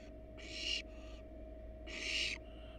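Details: Wild barn owls, the adult pair resting on their nest box with nestlings inside, give two harsh, hissing screech bursts about a second and a half apart, with a fainter hiss after each and a steady low hum throughout.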